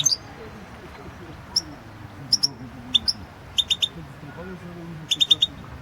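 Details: Competition entry from the 2016 World Championship in Goldfinch Song, a European goldfinch giving sparse, sharp, high chirped notes singly and in quick triplets, separated by gaps of about a second, with steady low background noise.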